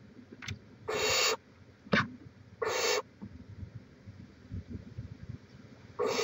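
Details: Barn owl at a nest on a live camera in Chula Vista, California, 18 May 2017: three harsh, breathy hissing screeches, each about half a second long, with a sharp click between them over low background rumble.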